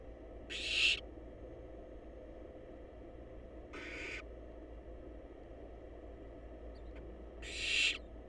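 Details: Barn owl nestlings, wild and snuggled up in a research nest box while awaiting food, give three short, breathy screeching hisses spaced several seconds apart, separated by quiet stretches of faint background hum.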